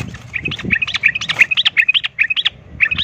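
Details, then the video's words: Sooty-headed bulbul fighting song, a rapid 'ropel tarung' lure to provoke other bulbuls; a steady string of quick, sharp chirping notes, roughly five per second, with slight low knocks early on. "pancingan trucukan ROPEL TARUNG ini bikin trucuk lain seketika ikut EMOSI tarung"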